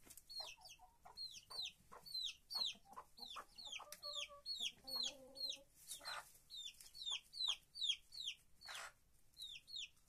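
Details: Chickens kept in a henhouse give a rapid, irregular run of shrill descending peeps, about two or three a second, with a short low tonal sound partway through.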